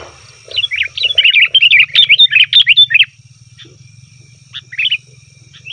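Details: Sooty-headed bulbul making its noisy call, meant to make wild and caged bulbuls respond: a fast run of about a dozen bubbly chirped notes, then quiet with a few scattered chirps, over a steady low hum.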